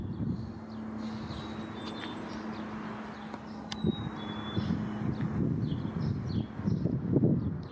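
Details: A Black-capped Chickadee in a backyard in Downers Grove, Illinois, on 12 April 2017 gives two clear, high whistled phrases, each sliding from a higher to a lower note, over steady low traffic rumble and hum.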